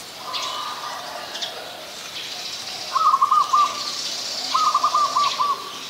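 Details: White-vented myna recorded on 18 January 2021 in Ubon Ratchathani, Thailand: two loud, stuttering, rattled notes about a second apart after a quieter opening phrase, with soft hissing chatter behind.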